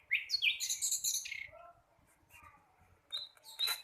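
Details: Juvenile flycatcher learning to sing: an opening burst of jumbled high twittering notes, then soft lower warbles and a pause before a few sharp chirps return at the end.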